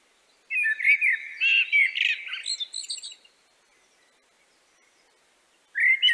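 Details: Common blackbird singing in the evening: a mellow, fluting phrase breaking into higher, scratchy twitters, a mixture of melodic and noisy elements, then a pause before another phrase.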